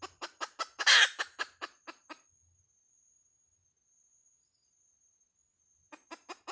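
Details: Hen giving a quick series of clipped clucks with one loud, rough burst in the first two seconds, then near silence, and the rapid clucking returning at the very end.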